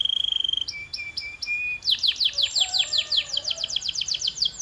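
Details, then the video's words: Singing canary for training: a steady high trill and short whistled notes, then a lively series of quick descending chirps with faint lower warbles. "This Sound Will Make Your Canary the LOUDEST in the Neighborhood"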